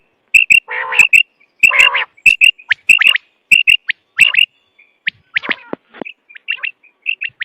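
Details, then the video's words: Quail on a recording used for hunting: loud, clipped high chirps repeated quickly, about ninety-five a minute, broken early by two harsh, broad rasping bursts, then softer, scattered notes toward the end. "sound of btair 2023/بٹیر کی لاجواب کیسٹ"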